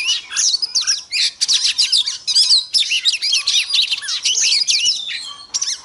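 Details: Female Oriental magpie-robin singing to trigger male birds: an energetic, continuous tumble of sharp whistled notes, slurs and chattering trills, loud and high throughout.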